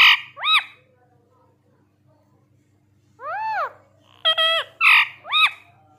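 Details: Talking parrot giving a series of clear, harmonic arched calls, rising then falling. Two calls come near the start, then a pause, then a quick run of five or so calls close together toward the end, over quiet background hum.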